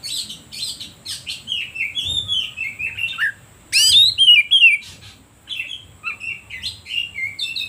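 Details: Oriental magpie-robin singing to rouse other birds: rapid chips lead into long flowing whistled warbles, a loud burst of sweeping notes midway, then lively mixed whistles and clicks.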